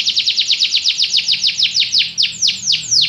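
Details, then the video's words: Canary repeating loud, clear descending sweeps in a quick even series, spacing widening slightly toward the end. "Canary bird | o canário canta muito bem"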